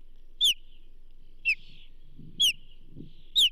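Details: Osprey calling at the Charlo nest during delivery of a whole whitefish to the banded female, 29 May 2024: short, sharp downslurred whistles repeated about once a second, with faint low background noise.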